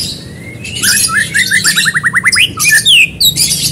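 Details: White-rumped shama singing as a lure to make another bird sing: a quick run of about a dozen repeated sharp, upslurred whistles, then bright swooping notes and brief harsh bursts, over a faint low hum.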